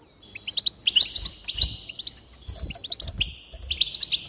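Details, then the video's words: Goldfinch singing, aimed at getting a bird to sing: a buzzy, jingling trill carrying through, dotted with sharp liquid chirps and quick twittering flourishes. "increase the enthusiasm of the goldfinch and encourage it to song"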